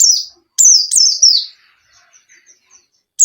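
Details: White-eye song used to coax a lazy caged bird into singing: a few sharp, high descending whistles in rapid succession, then near silence broken by soft ticks before another note starts.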